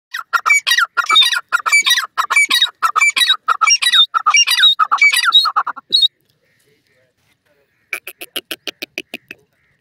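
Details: Grey francolin, called black, white and Iranian teetar in local names, giving loud harsh squawking calls in rapid bursts for six seconds, then a pause and a shorter series of sharp repeated clicks.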